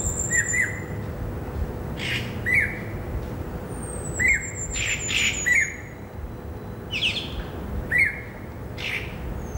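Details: Greater racket-tailed drongo (Dicrurus paradiseus) singing in a herb garden on Saturday afternoon, 16 December 2017: short, varied notes of rising whistles and harsh, broad squawks about every two seconds, plus a thin high whistle.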